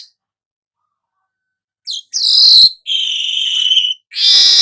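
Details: Golden-headed weaver song, used to train songbirds: after silence, a brief chirp leads into a harsh buzz, then a sustained flat whistle and another rasping buzz.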